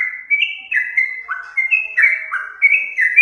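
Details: Whistled song of a Yellow-vented bulbul used to attract birds, a steady string of clear notes that each swoop upward and hold, alternating between higher and lower pitches.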